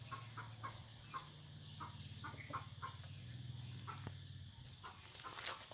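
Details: A first-generation (F1) Vietnamese Red Junglefowl kept as a decoy bird gives short, dry clucks a few times a second over a steady low hum, with faint rustling behind.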